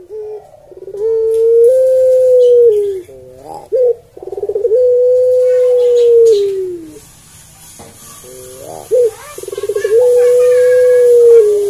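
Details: Barbary dove of the melodious puter pelung type, cooing: a brief rolled note, then a long, drawn-out, nearly level coo that droops at the end. The pattern repeats three times, with quiet pauses between.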